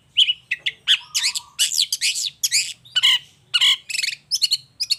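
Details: Long-tailed shrike in "gacor toet toet" lure song meant to provoke other shrikes into answering: a dense run of loud harsh squawks and raspy notes, broken by brief high clear whistles and one low steady tone.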